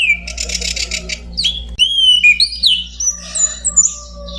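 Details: Orange-banded thrush song of sliding whistled notes rising and falling, opening with a quick pulsed buzzy series, then clear looping whistles climbing higher, over a constant low electrical hum.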